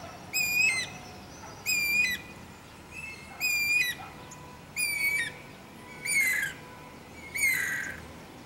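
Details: Guira cuckoo, a wild bird, giving a steady series of six harsh squawking notes spaced about 1.3 seconds apart, each with a sliding whistled tone and rich harmonics, background otherwise quiet.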